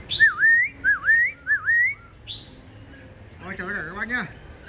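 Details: Black-throated laughingthrush, a tame cage bird that sings all day and alone without a mate, recorded on a cold day: three clear wavy whistles in quick succession, a high squeak, then a short burst of human voice.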